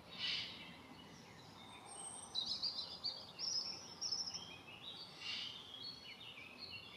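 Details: Young Eurasian eagle-owl sibling begging, near Dannenberg, Germany, on 17 June 2024 as a young owl takes off. Two faint rasping hisses come near the start and end, with small birds chirping thinly in between.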